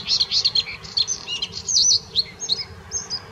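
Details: Bluethroat singing at the Offstein settling ponds: a quick, varied run of high, twittering and buzzy phrases with short whistled notes, delivered without pause over a low background hum.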